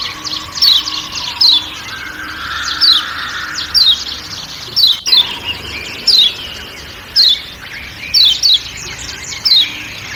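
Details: Lombok white-eye (kecial kuning) calling 'ciak ciak' with forest sounds: crisp high downward chirps, sometimes in pairs, at uneven intervals over ten seconds, a steady high insect hum and one brief click in the background.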